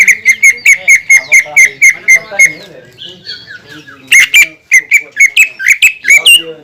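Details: Greater green leafbird lure song aimed at making other leafbirds sing: an even, repeated series of clipped whistled notes, a soft warbling interlude, then a renewed, quicker run of sharp chirps.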